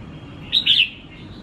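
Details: Red-whiskered bulbul, tamed and unafraid of people after a week, gives a brief loud burst of two or three sharp, slurred whistled notes, with a faint low hum underneath.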